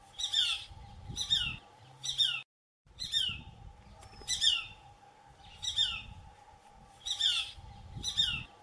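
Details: Shikra (Accipiter badius) at a farm in Kalwar, Jaipur, gives harsh, high, down-slurred calls, repeated about once a second with brief pauses, over a steady low hum and faint rumble.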